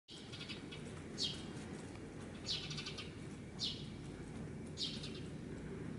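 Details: Parent Eurasian tree sparrow at an apartment bicycle parking area in Japan, distracting a natural enemy while guarding its fledgling. Four short, bright chip bursts about every 1.2 seconds over a steady low background rumble.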